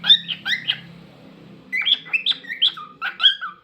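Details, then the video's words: Singing pet cockatiel giving bright whistled notes in two bursts, the second a rhythmic series of rising and falling whistles about every third of a second, clean indoor background. "Cockatiel Crazy Singing Bird"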